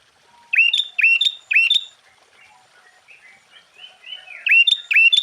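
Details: Sooty-headed bulbul singing a full, varied song used to provoke other bulbuls into answering: loud bubbly phrases with sharp downward-then-rising notes repeated in quick bursts, a softer warbled passage in between, then more loud phrases.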